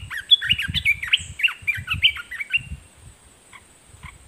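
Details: Decoy red-whiskered bulbul singing at wild birds: a quick run of about a dozen loud, clear, bouncing whistled notes in under three seconds, then a few faint distant chirps.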